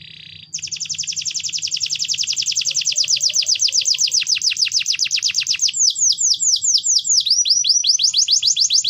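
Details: Canary singing continuously as a lure: a long, rapid, rolling trill of many fast sweeping notes, about two or three per second, shifting to new trilled phrases near the end, over a faint low hum.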